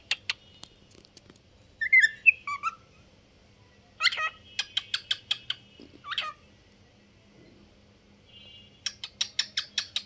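A cockatiel sings with warbled whistles, sharp chirps and quick bursts of repeated clicking notes.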